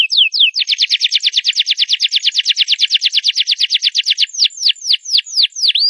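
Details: A canary sings loud, opening with two slurred notes, then a long steady trill of rapidly repeated sweeping notes, slowing into wider down-slurred whistles at the close.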